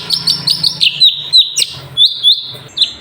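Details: Sooty-headed bulbul singing energetically in 'tembakan' bursts for tutoring other birds: a dense stream of chirpy whistles, then sliding falling notes and two clear rising whistles over a soft low hum.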